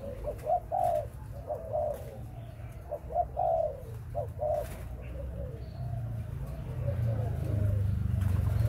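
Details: Spotted dove from breeding stock with clear rounded coos in the first half, bursts of two or three notes, then fading to faint cooing as a deep rumbling noise grows louder.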